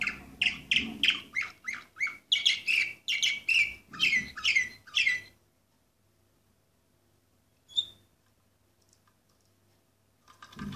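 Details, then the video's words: Singing Orpheus breed canary, number 24 from 2014, producing a run of about twelve quick rasping chirped notes, then near silence with one thin whistle and a final short burst. "canary orpheus 2014 number 24"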